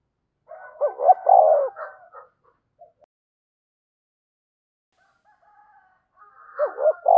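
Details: Spotted dove decoy with a 'thổ sấm' voice giving a calling coo: one low rolling phrase overlapped by fainter higher notes, then quiet, then the start of another phrase.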